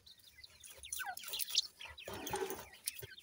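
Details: Grey francolin chicks feeding, bred in captivity; dense overlapping high chirps and short peeping notes, some sliding down, others rising, with brief fluttering sounds scattered through.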